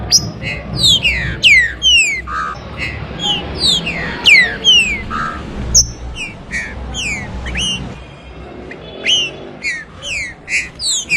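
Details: Green-winged saltator (trinca-ferro) in an 'abrir canto' song recording: dense series of loud, clear whistled notes sliding steeply downward, overlapping phrases repeated about twice a second, with a low background hum.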